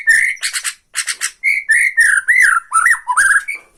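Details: Bornean white-rumped shama singing in tretekan style to provoke rival shamas: a rising whistled note, then bursts of harsh buzzy rattles, followed by a run of clear looping whistles that swoop up and down.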